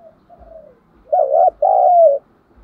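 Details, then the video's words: Decoy spotted dove calling to provoke and lure wild birds, thổ sấm voice style. Soft, quiet falling notes lead into a loud two-part coo: a wavering note, a short gap, then a long sustained one. "Chim Cu Mồi Thúc Đấu Dùng Kích Bổi Nhanh Về Cội"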